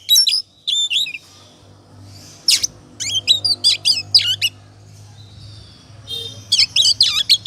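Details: Oriental magpie-robin in 'ngobra' song, played as a lure to make other birds sing. Short clusters of bright whistled and buzzy notes are separated by gaps, over a steady low hum throughout.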